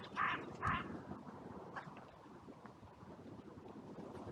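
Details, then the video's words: In a sunny cemetery, a crow gives two quick, hoarse caws during an outcry after a brief crow fight. Faint calls and wind noise follow. "Crows and Crow Sounds"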